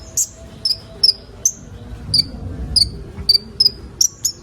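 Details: Sunbird known locally as kolibri ninja, a recording used to make young birds sing: crisp, high-pitched chip notes, each with a brief downslur, spaced roughly every half second over soft background noise.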